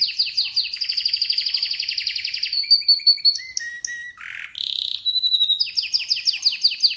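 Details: Canary in full song, opening with rapid sweeping notes, then buzzy trills, pure whistled notes stepping down in pitch, a harsh rasping burst and a return to fast repeated sweeps.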